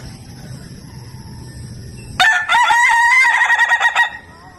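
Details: Ayam Ketawa rooster crowing after a quiet start: a sudden burst of rapid, evenly chopped syllables lasting about two seconds, wavering in pitch like laughter, then fading, with a low steady hum in the background.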